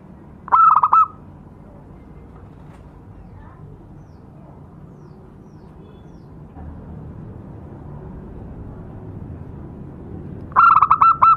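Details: A local zebra dove lure recording: two short, rolling, stuttered coos about ten seconds apart, mid-pitched and rapidly pulsed, over a faint steady background hum.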